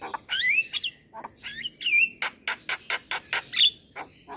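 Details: Black-winged myna song used to coax young birds into singing: slurred rising whistles, harsh grating notes and a steady series of short loud chips, with one piercing high whistle near the end.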